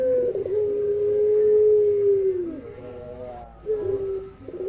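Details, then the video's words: Eurasian collared dove, called puter locally, in a masteran recording: one drawn-out low coo lasting about two seconds and falling at its close, followed by a quieter pause and the start of shorter coos. "Burung pelung puter suara masteran"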